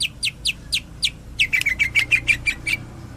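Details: Greater green leafbird in tembakan style: a few spaced, downslurred chirps, then a quick run of around ten crisp, even notes in a chattering burst.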